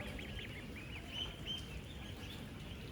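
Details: Dense chorus of 10-day-old ducklings, some of 16,000 kept together on a real duck farm, moving, eating and drinking. Many short high peeps overlap continuously, some rising and some falling, over a steady low rumble.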